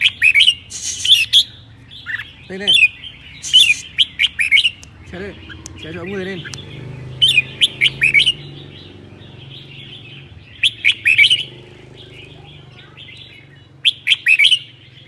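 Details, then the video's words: Cold-day song of a red-whiskered bulbul in Son La: clusters of rapid, sharp whistled notes roughly every few seconds, with long quiet gaps and faint low voices in between. "CHIẾN BINH 7 MÓNG HÓT CHÉ NGÀY LẠNH"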